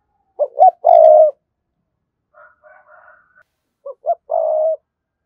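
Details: Spotted dove giving a provoking coo to call wild doves. Two mellow phrases, each of quick short notes and a longer drawn coo, with a faint hoarse cooing between them.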